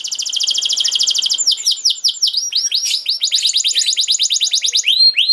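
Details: Canary tutor song for young canaries: a long, fast rattling trill lasting over a second, then swooping notes and another dense, quick trill.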